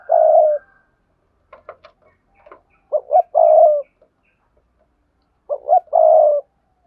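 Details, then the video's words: Spotted dove lure song: a long coo, a patter of faint clicks and chirps, then two phrases of paired rising hoots each ending in a sustained throaty coo. "Tiếng cu gáy cườm sa thúc + gù + gáy gọi kích bổi hiệu quả"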